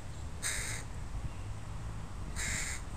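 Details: Two loud, grating caws two seconds apart from crows of a family with young in a park, with a low hum between them.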